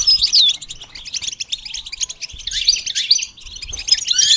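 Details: Goldfinch song in broken phrases: a clear descending whistle, then bursts of sharp, tinkling twitters and buzzy notes with short gaps between them, for teaching a goldfinch to sing.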